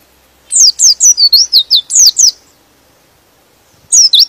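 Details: Rapid string of about ten shrill, downward-sweeping whistles from a white-eye, followed after a pause by a short two-note phrase. The song is used to excite other white-eyes into singing.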